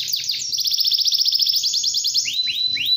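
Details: Canary with long, unbroken song, played so young canaries learn to sing: a few downslurred whistles, a fast high rattling trill, then upswept notes.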